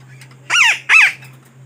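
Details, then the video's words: Parakeet lure call used for trapping birds: two harsh, buzzy squawks in quick succession, each sweeping up and then down, over a steady low hum. "Suara Pemikat Burung Betet yang Sangat Ampuh"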